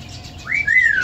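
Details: A pet yellow-naped amazon parrot, singing snippets of human songs such as You Are My Sunshine, gives one clear whistled note, rising quickly then sliding slowly down, in a quiet room.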